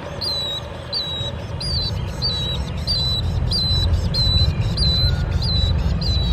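A Bronze-winged Jacana gives a series of high, thin, sharply upslurred piping notes, about two each second, over a steady low rumble.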